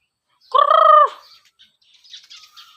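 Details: Chickens at feeding time: a single loud, harmonic squawk lasting about half a second, slightly falling at the end, followed by faint, scattered chirps and soft clucks.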